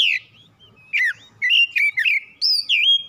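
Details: An oriental magpie-robin kept at home sings a lure meant to trigger singing. Its full, slurred whistles slide downward, with short twisting phrases and a high sustained note near the end.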